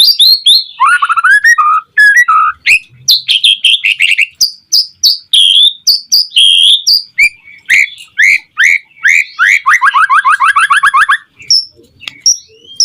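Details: White-rumped shama in full song, used as a lure to provoke other shamas into singing: loud, varied whistled phrases and rapid trills, a fast rising-falling rattle series near the end, notes spread widely across high pitches.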